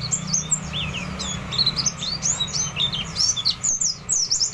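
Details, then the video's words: A white-eye, a small bird skilled at mimicking other species, pours out a rapid, high, twittering medley of varied chirps and slurred whistles borrowed from other birds, over a low steady hum. "Pleci Dakun , Burung kecil pintar menirukan suara burung lain"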